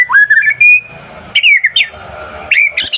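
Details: A white-rumped shama's masteran song, meant to provoke rivals into singing: a rising whistle leading into a sustained high note, then two brief warbled phrases and a harsh, squawky ending.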